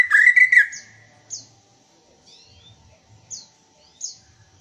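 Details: A black-tailed white-rumped shama from Aceh opens with a loud, rich whistled phrase, then adds sparse high, thin notes.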